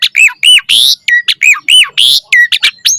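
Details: Varied song of an Asian pied starling singing actively while pumping: paired arched whistled notes repeated several times, broken by harsh rasping bursts and sharp upward squeaks, delivered in a fast, choppy rhythm.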